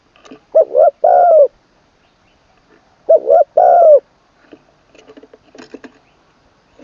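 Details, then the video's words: Spotted dove being trained as a decoy, third session, crowing in a full middle voice ending in kuk. Two deep phrases, a stammered coo then a long sliding coo, followed by scattered clicks and tapping. "ขันลงกุกวัย เสียงกลางเต็ม"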